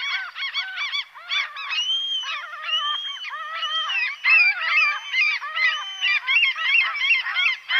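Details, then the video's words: A flock of Common Gulls (Larus canus) gives a chorus of shrill mewing and yelping calls, with harsh overlapping notes repeated rapidly as several birds call at once. "Сизая чайка - Larus canus"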